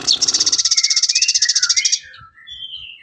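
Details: Sooty-headed bulbul song used as training material for songbirds: a fast buzzy trill of about four notes per second, high and even, for two seconds, then softer slurred whistles that rise and fall.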